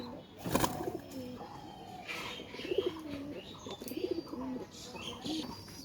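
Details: Domestic pigeons in their loft give a run of soft, low, wavering coos, irregularly repeated, after a sharp click at the start, with faint higher chirps in the background.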